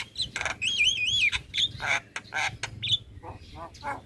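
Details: Javan myna, a noisy chattering bird in song: wavering whistled warbles, harsh rasping notes and scratchy chirps in quick succession over a faint low hum.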